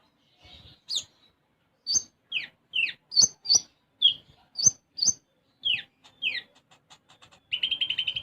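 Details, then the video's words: Sunbird in full song: a string of short, sharp, high chirps and steep down-slurred whistles at uneven intervals, ending in a rapid, even, buzzy trill. "Konin Gacor Isian Gereja"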